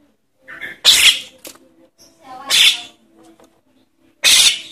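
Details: Young Javan myna begging, a sound used to draw in adult birds: three grating, breathy rasps, the first preceded by softer, shorter notes, with a faint background hum.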